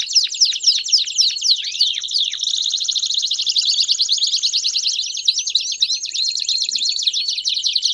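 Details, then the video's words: A group of Belgian canaries singing together; quick sweeping chirps and dips open a long, dense, unbroken rolling trill with overlapping warbles layered on top. "Vários Canários Cantando Junto Estimule seu Canário Belga a Cantar Muito!!!"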